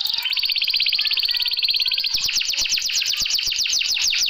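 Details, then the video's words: Singing canary used to spur reluctant birds into song: an even, very fast high trill gives way after two seconds to a steady series of sharply descending whistled notes. "BURUNG KENARI MALAS BUNYI KASIH ISIAN INI LANGSUNG NYAMBAR"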